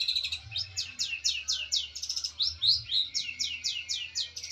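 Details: A fighting long-tailed shrike calls to challenge a rival, giving a steady run of high, scratchy down-slurred notes, about three each second, over a faint low hum; used as a lure call.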